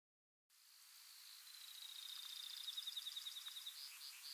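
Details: A Brewer's Sparrow sings a long, high, buzzy trill that quickens and brightens, then ends in sweeter slurred notes, with faint hiss, in big sagebrush shrubland near Silver City, Montana, on a July 2022 morning around sunrise.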